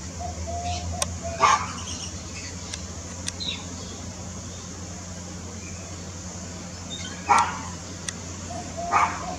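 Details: A red-winged parrot (Aprosmictus erythropterus), hanging upside down while eating mango, gives three short, harsh, metallic screeches spaced several seconds apart, over a steady low mechanical hum.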